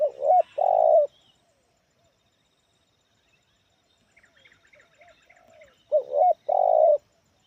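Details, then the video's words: Spotted dove of the sula-head type with a medium, loud 'kuk 1' voice: low, hollow coos in a two-part phrase, a long pause with faint chirps from other small birds, then the phrase repeats. "Suara Menengah Lantang Kuk 1 Banyak Isian"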